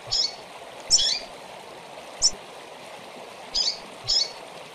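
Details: Calling female double-collared seedeater, used to teach a caged bird: five brief, thin, high chirps spaced irregularly, some doubled, over a constant watery rushing hiss.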